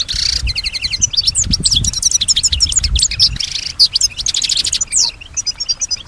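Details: European goldfinch kept at home, described as imitating other birds, whispers and human sounds; a buzzy opening, then quick runs of repeated high chirps and trills with faint low background rumble.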